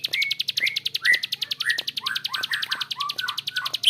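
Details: Bar-winged prinia in the long, harsh-voiced ngebren style: a rapid, steady stream of sharp clicks runs throughout, overlaid by a series of short, descending, slurred notes.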